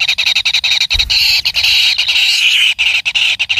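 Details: Kingfisher chick being fed by its parent: loud, harsh, buzzy high-pitched begging, continuous and broken by brief gaps and clicks, with a short low thump near one second.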